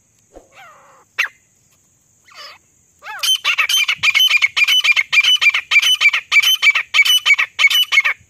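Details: Female grey francolin in jungle, calling non-stop as a lure for hunting: a few faint notes, then a rapid run of sharp, harsh, evenly spaced calls, about three per second, with a steady high hiss.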